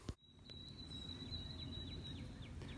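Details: White-throated Sparrow, a wintering bird not yet departed, sings hidden in brush on an early April morning (April 3) at Shawnee Prairie Preserve: a long, thin, high whistle broken by quick slurred notes ("oh sweet canada canada"), over low wind or traffic rumble.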